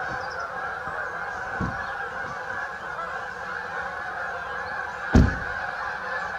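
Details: Canada geese in a flock at St Anne's Lagoon keep up a steady massed honking, with low thumps near the start and a sharp knock near the end.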